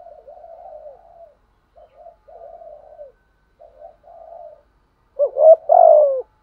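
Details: Spotted dove decoy calling to lure wild birds, in a set of styles including calling, urging and soft cooing: four quiet, low, wavering coo phrases, then one loud, deep, rolling coo phrase at the end.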